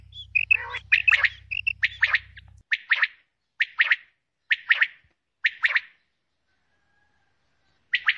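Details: Female common quail calling in short bursts of two or three sharp, buzzy notes, repeated roughly once a second, with a brief low hum underneath at the start and silent gaps near the end.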